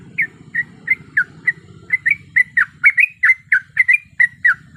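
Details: Breeding-condition female sooty-headed bulbul calling a male. Clipped chirps start spaced about two each second, then quicken into a lively run of bright, slightly rising and falling whistled notes, over a faint low hum.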